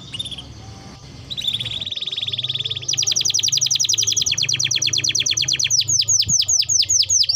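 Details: Singing canary used as a lure to stimulate other canaries to sing: a high trilled song moving through rapid rolled phrases, then fast pulsed rattles and a run of sharp repeated sweeping notes.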